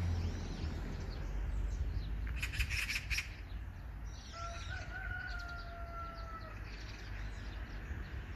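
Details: Magpie giving a dense, rasping chatter burst of several rapid notes, followed by long thin whistles from another bird over a low background rumble.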